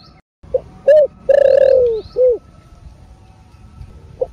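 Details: Spotted dove cooing in the Vietnamese thổ rền style: a short low note, a rounded coo, a long drawn-out descending coo, then a clipped final coo, ending with another short note, over a faint steady hum and distant high chirps.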